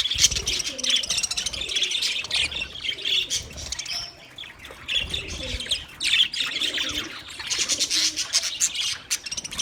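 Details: Chirping budgerigars, intended for a lonely bird, keep up continuous twittering chatter in waves, loud bursts of high warbling alternating with brief softer lulls, and some lower burbling notes beneath.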